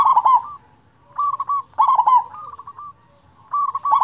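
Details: Local zebra dove with a loud voice, for luring reluctant singers: three quick bouts of bubbling trilled cooing, each trailing off into softer clipped coos.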